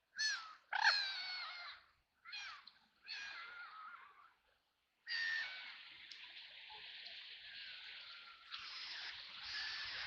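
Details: Ducks, including white ducks, on a river in Nottingham in the rain, quacking, splashing and flapping; a few loud raspy quacks early, then a long, steady hoarse calling stretch lasting several seconds.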